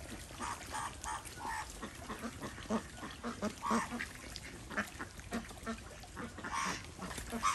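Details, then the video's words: Several desi ducks swimming on a small Indian farm pond, a steady background of soft, nasal quacks and gabbling with occasional louder calls, fairly quiet overall. "Ducks : Enjoy & Swim 2| Desi Ducks"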